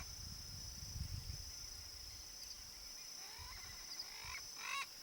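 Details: Wild yellow-faced parrot in Brazil giving a few harsh, nasal squawks in the last two seconds, over a steady high-pitched whine and some low rumbling early on.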